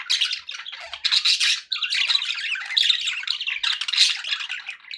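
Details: Pet budgerigars sounding happy, pouring out grating chatter and squeaky chirps in loud bursts, with one brief pause midway.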